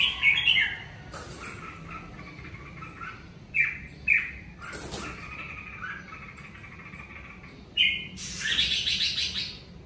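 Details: A red-whiskered bulbul sings naturally at home during the covid period. It gives short bursts of bright, liquid, loud chattering whistled phrases separated by pauses of a second or two, with faint chirps behind.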